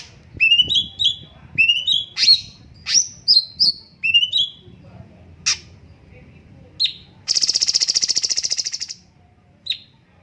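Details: Straw-headed bulbul song of repeated rising whistled chirps in pairs and triplets, then a long even buzzing rattle lasting over a second, followed by a lone chirp.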